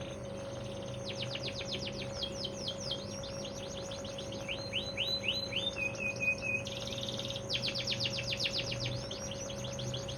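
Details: Bottle-green AF canary, not yet put out for sunning, known to sing 45-second stretches: rapid buzzy trills of repeated downward sweeps, a slower run of falling slurred notes mid-phrase, then another fast rattling trill, over a steady low hum.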